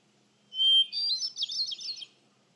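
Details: Hermit thrush (Catharus guttatus) singing in Freetown-Fall River State Forest, Massachusetts, on the morning of October 27, 2015, around 10:05 AM: one clear sustained whistle, then a higher fluty tumbling cascade of quick notes lasting about 1.5 seconds.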